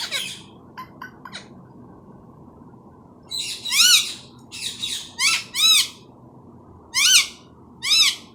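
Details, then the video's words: Tame talking parrot speaking Urdu/Hindi: a few faint clicks, then short bursts of harsh, rising-and-falling voiced sounds in uneven groups, in a quiet setting. "Urdu/Hindi bolne wala tota"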